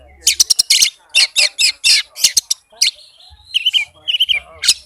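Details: White-rumped shama song used as a lure to get a reluctant shama to sing, a fast, dense run of sharp, high chirps, trills and buzzy notes in quick bursts, with a few drawn-out whistles near the end.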